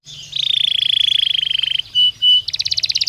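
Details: Belgian canary singing naturally, a recording meant as daily stimulus for training canaries: a long rapid trill held near one pitch, then two short sustained whistled notes, then a faster, higher pulsed trill, all clear and loud.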